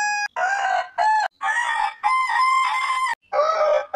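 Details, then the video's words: Choppy series of rooster crow segments from a compilation of heritage chicken breeds, rich harmonic tones holding steady then wavering, broken by several abrupt cuts. "Hane Gallos Cantando Chicken Crowing as Chicken Song Suara Ayam Pelung Berkokok Hahnen Krähen"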